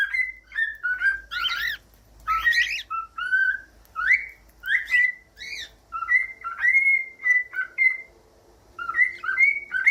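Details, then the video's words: Cockatiel song meant to teach pet cockatiels to sing: a long run of clear whistled notes, some rising and some level, broken by a few scratchy harmonic squeaks, irregular in rhythm, with quiet pauses between phrases. "CANTOS DE CALOPSITA"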